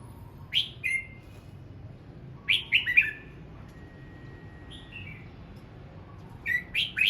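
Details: Red-whiskered bulbul singing in the morning while practising its voice: short bright, slurred whistled notes dropping in pitch, given singly and in a quick three-note burst, separated by quiet pauses of about two seconds.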